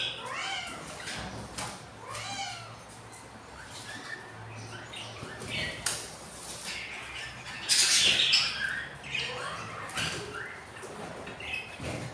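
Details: Hungry budgerigar chicks, four days old, from a breeding pair's clutch where three of eight eggs hatched; raspy, arching squawks come in quick runs, broken by louder harsh bursts, with human speech heard in the background indoors.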